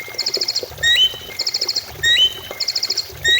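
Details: Greater green leafbird song used to draw other birds into singing. A high buzzy trill of six pulses is followed by a sharp rising whistle. The pattern repeats about once a second, three times.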